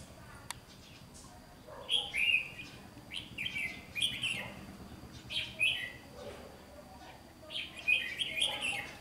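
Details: Red-whiskered bulbul singing in competition: short bright warbled phrases in bursts every second or two, with a steady high tone and light background noise.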